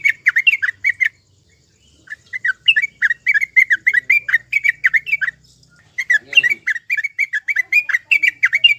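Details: Sooty-headed bulbul, played to prompt a caged bird to sing: bursts of bubbly, chattering notes falling in pitch, delivered in quick runs with a brief pause midway.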